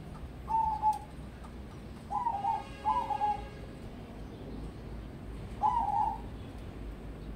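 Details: Zebra dove of crossbred local stock, a competition prospect, delivering four brief trilled coo phrases, two close together mid-clip, over constant hiss and faint rumble.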